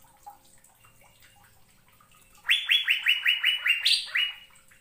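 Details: An Asian fairy-bluebird (cucak biru) sings: after a quiet start with faint chips, a sudden loud string of about eight rapid, rising whistled notes, one markedly higher, then a final upslur.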